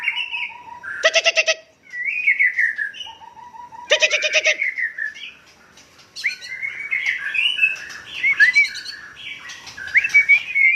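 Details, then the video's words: Song of a white-rumped shama from Cot Goh in Bireuen, Aceh province: sweet, gliding whistles and quick warbled notes, interrupted twice by loud harsh grating rattles, ending in a dense, rapid tumble of varied notes. "Murai Aceh"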